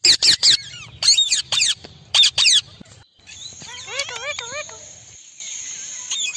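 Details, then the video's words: Parrots calling as a group outdoors in India: loud harsh screeches in quick bursts, then a run of rapidly repeated up-and-down whistled notes, with a steady high hiss behind. "Indian Parrot Amazon Voice Group Calling"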